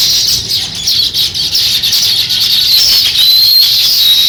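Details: Sparrows beginning to build a nest, with rapid high chirps packed closely together and a few thin, clearer whistled notes near the end.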